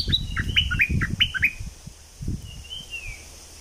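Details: Southern Thai decoy calling of Thick-billed flowerpecker: a quick stream of sharp, high, flicking chirps for about a second and a half, then a soft falling whistle, with low thumping noise underneath.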